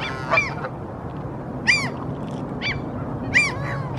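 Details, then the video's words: Two wild Canada geese walking on temporarily exposed seabed in Helsinki, Finland, in April 2023, observing their surroundings; four loud, nasal honks at irregular intervals of one to two seconds over a low, steady background rumble. "Canada Geese walking, vocalizing"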